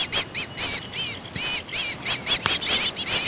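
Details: Greater green leafbird lure call used to attract birds: a string of sharp arched chirps with clear overtones, each lasting a fraction of a second and coming at an uneven pace, loud and clean, with no other sounds.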